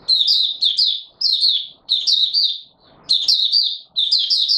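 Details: White-eye (Mata Puteh Raja) in open song during warm humid weather, 20 March 2022: high, rapid twittering phrases of slurred warbled notes, delivered in bursts of about a second separated by short pauses, with faint low background noise.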